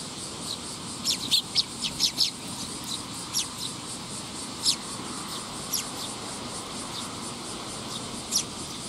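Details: High, sharp chirps from a young sparrow, recorded 20 August 2021, fall in a loose run early on, then sound singly every second or so, softer, against faint constant background noise.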